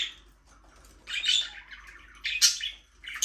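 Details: Budgerigar chattering in a small aviary: a short whistled note, then a longer warbling, buzzy phrase and two sharp scratchy chirps, clear and close.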